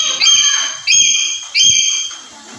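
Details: Black-capped lory, used as a master recording for luring other lories: three loud, shrill whistled notes, each starting abruptly and fading, spaced about two-thirds of a second apart, with soft low knocking underneath.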